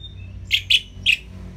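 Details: Orange-headed thrush, a kept songbird, played to coax lazy birds into singing: three short bright chirped notes in quick succession, high and clear over a faint low hum.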